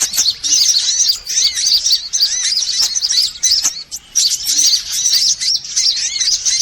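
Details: Mixed sunbirds in a lure recording used to attract birds: high, thin, chattering song from many birds overlapping, with bright arched whistles and a short dip in volume near the middle.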